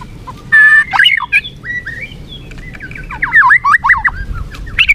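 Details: White-rumped shama (murai batu) song used as a lure to make a flagging bird more combative; lower looping whistles and short warbled phrases separated by gaps, with a buzzy burst early on.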